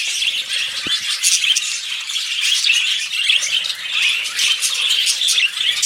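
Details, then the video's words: Budgerigars during mating and breeding chatter without pause in a dense, scratchy warble of high chirps and squawks, several birds overlapping, with one soft thump. "Budgies Mating & Breeding"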